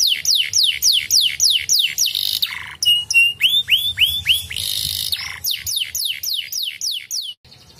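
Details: Canary singing, used to stimulate canaries into song: rapid repeated falling whistles, a buzzy trill, a steady held whistle, then rising arched notes and more descending sweeps, bright and loud throughout.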